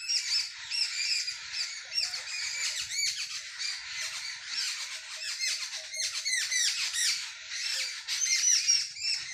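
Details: Early-morning village sparrows in full chorus, many birds calling together in rapid, overlapping, bright chirps and short twittering notes with no break.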